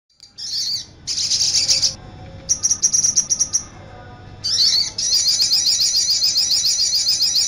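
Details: Crimson sunbird song used as a lure and training recording: bursts of very high, rapid twittering and trilled notes, with short pauses between phrases, then a long unbroken stretch of fast, sibilant warbling.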